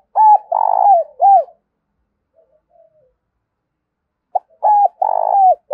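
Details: Decoy spotted dove gáy call meant to bring wild doves in quickly: two phrases, each three low hooting notes with a long rattling centre coo and a falling close, separated by near silence.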